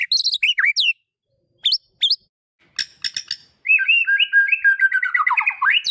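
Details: Song of a magpie-robin used to coax a silent bird back into voice: sharp high chirps in bursts, brief clicks, then a long rippling trill of fast repeated notes.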